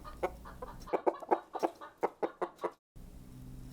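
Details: Chicken clucking on a farm: a run of short, low, abrupt clucks, roughly four per second, then a brief silence.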